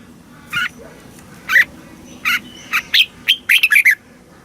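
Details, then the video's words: Red-whiskered bulbul from Thailand singing in the southern master style, a recording played to rouse caged birds and tutor young ones; spaced single chirpy notes build into a quick rollicking run of warbled notes at the end. "เสียงนกกรงหัวจุก สำหรับต่อ หรือ เปิดให้นกคึก"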